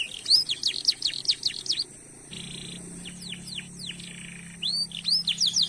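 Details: Lively canary singing as a lure for other canaries: rapid sweeping whistled notes, a short pause over a low hum, then more downslurred notes and fast rising chirps.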